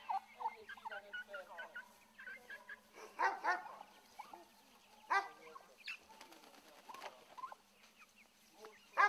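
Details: Turkey poults that escaped into a neighbouring plot, being herded back by a boy, keep up a busy stream of thin, overlapping peeps and chirps, each note briefly rising or falling, with several louder bursts of calling.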